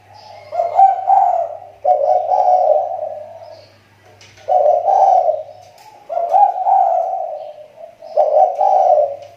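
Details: Lure-bird spotted dove of the kepri type, whose voice had dropped and is now recovering, sings four burry, mid-pitched coo phrases separated by short pauses, loud and close, with a faint steady hum in the background.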